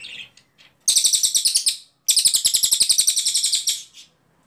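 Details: Ashy Tailorbird singing in long bursts, recorded for tutoring other cage songbirds: two rapid trains of sharp, high, evenly repeated notes, roughly fifteen per burst, after a few soft introductory chirps.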